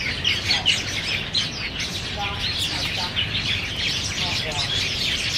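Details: Black bulbuls competing for banyan figs at Niaosong Wetland Park, recorded 4 November 2015 with a Canon PowerShot SX700 HS; dense overlapping squeaky, nasal chirps and mewing notes from several birds, with steady low background rumble.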